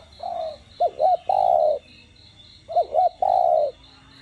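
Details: Spotted dove cooing in the 'đồng' voice style, played to stir captive doves into calling: two phrases, each two quick rising-falling notes followed by one long, steady, hollow coo. A cricket pulses rapidly and high in the background.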